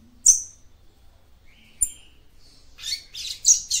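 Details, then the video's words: Female papa-capim seedeater calling to stimulate the male: sharp high chirps, a brief thin whistle, then a rapid cluster of buzzy notes near the end. "CANTO DE FÊMEA PAPA CAPIM PARA ESQUENTAR SEU MACHO"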